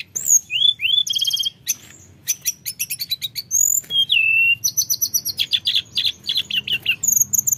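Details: Mountain flowerpecker singing nonstop to provoke lazy flowerpeckers: piercing whistles and fast trills, a short gap, then a long stream of rapid high chips repeated several times a second.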